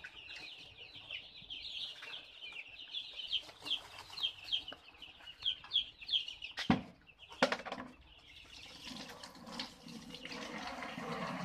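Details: Baby chicks cheeping: steady high peeps, a couple of loud knocks midway, then rushing noise toward the end.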